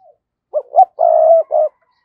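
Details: Decoy spotted dove calling to lure: two quick upswept notes, a long loud steady coo and a shorter closing coo, all low and mellow.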